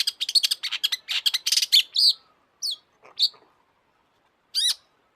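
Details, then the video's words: Long-tailed shrike singing hard: a rapid run of rasping, crackling notes for two seconds, then isolated high whistled slurs and a final downward-sweeping whistle after a pause. "kicau burung cendet gacor FULL EMOSI"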